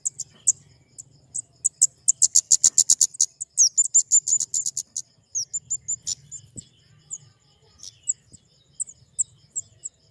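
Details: Flowerpecker giving rapid, high, thin chattering notes that build into a dense run, then ease into spaced chips, with a faint low hum underneath.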